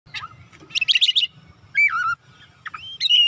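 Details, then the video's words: White-rumped shama song used to call and stimulate other birds to sing: loud whistled phrases with sliding, looping notes and short bursts of rapid chirps, separated by pauses, over a faint low hum. "KICAUAN MEMANGGIL DAN PERANGSANG BUNYI | Kacer macet bunyi langsung on gacor"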